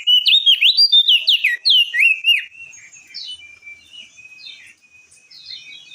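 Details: Crested white-eye in lively, loud ringing song, meant to prompt other birds to sing: a fast run of bright, slurred whistled notes sweeping up and down, followed by softer, thinner twittering phrases.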